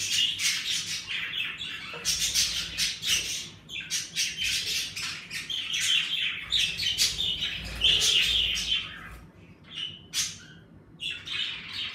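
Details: Several pet budgerigars kept together in a bird room keep up rapid, busy chirping, about four short high notes a second mixed with scratchy warbles, lively in warming weather, with a faint low hum beneath.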